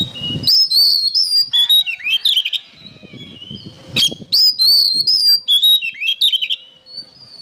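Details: Oriental magpie-robin song for tutoring other songbirds: fast, bright whistles mixed with scratchy notes and quick rising and falling slurs. Two dense phrases are separated by a quieter gap with soft background rustle.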